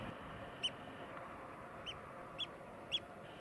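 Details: Eurasian oystercatcher in Iceland: four short, high piping notes at uneven intervals, faint against steady broadband rushing noise.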